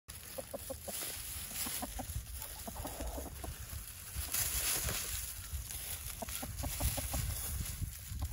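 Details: Easter Egger rooster with his flock foraging in a leaf pile in a yard, telling the flock there are worms to dig for; short clucks repeat rapidly and irregularly over steady rustling of leaves.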